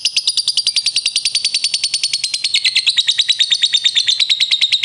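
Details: Lovebird answering another lovebird in a long ngekek: a rapid, unbroken rattle of shrill notes, roughly six per second, sliding slightly lower in pitch midway and holding loud and steady.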